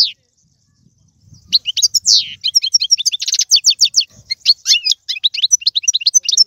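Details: European goldfinch from Algeria delivering its tiwawati, galoubi and serfati song. After a near-silent opening second, a falling whistle leads into a tight rattle, then a steady stream of crisp twittering notes continues to the end.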